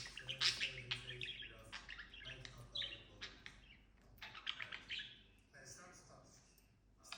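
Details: Pet budgerigar, a talking bird, warbling softly in a varied run of short chirps, clicks and scratchy notes, with a faint low hum behind.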